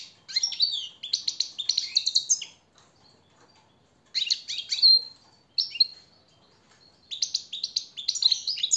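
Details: European goldfinch training song for captive birds: bursts of rapid, twittering high notes with buzzy trills, separated by short pauses of a second or more.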